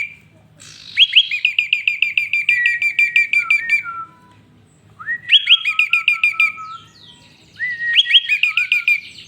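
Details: Prenjak (prinia) singing a rich song used to tutor other songbirds: three lively phrases of fast, rising, chattering whistled notes sliding downward at the end, separated by short silences.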